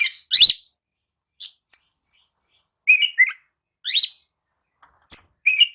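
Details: Oriental magpie-robin (kacer) lure song, played to rouse listless magpie-robins into answering and singing steadily. Bright slurred whistles and sharp chirps, rising notes near the top, in short bursts separated by pauses.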